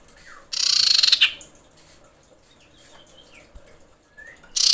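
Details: Female common iora in breeding condition calling for males: a loud pulsed rasping churr lasting under a second, then soft thin whistled notes, and another rattle starting at the end.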